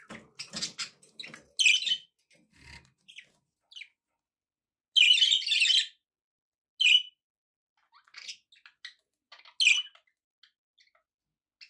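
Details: Pet budgies produce sharp, buzzy chirps and harsh squeaky bursts, quick twitters early, then loud separate calls about every two seconds, trailing into faint scattered ticks.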